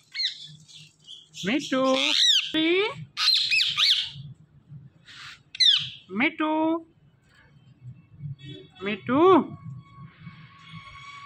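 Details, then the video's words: Pet Indian ringneck parakeet talking: several short, speech-like phrases in a high, nasal voice with squawky overtones, separated by brief pauses, over a low steady hum, ending with a faint sustained tone. "So Cute Speaking Parrot"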